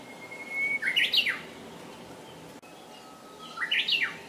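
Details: Two hokekyo phrases from a Japanese bush warbler, each a held whistle leading into a bright, jumpy warble that climbs then drops, separated by a short pause in a calm setting.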